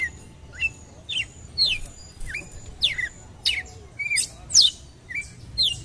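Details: Red-cowled cardinal calling to provoke a male: a series of short, sharp whistled notes, each a quick rising or falling slur, given about once a second with brief quiet gaps and a faint low background hum.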